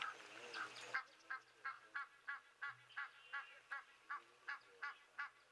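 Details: Egyptian geese give a steady run of harsh, nasal honks, about three each second, alarming at a jackal drinking nearby, likely a threat to goslings; a faint low hum sits underneath.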